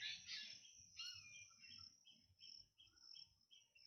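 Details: Black drongo calling: a series of short, clipped chirps repeated roughly twice a second, with a steady high insect-like whine running throughout and a louder harsh note near the start.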